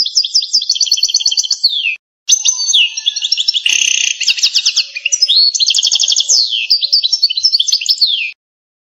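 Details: European goldfinch of Algerian stock singing 'canto campero' from a training tape of a breeding line, a long fast stream of high liquid trills and twittering runs with downward slurred whistles, briefly broken once, otherwise continuous, clean with no other sounds.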